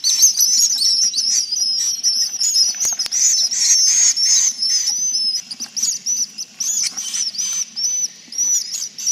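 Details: Swiftlets in a roosting-lure recording of the 'inap' style meant to draw them to roost: dense high, thin twittering chirps overlapping in a steady chatter, with a faint sustained high tone running through.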